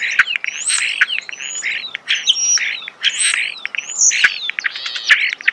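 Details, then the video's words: Starling singing in a natural setting, recorded close: a dense, varied medley of bright whistles, upward and downward slurs, short buzzy chatters and sharp clicks, delivered in rapid bursts with brief pauses. "The song of the starling"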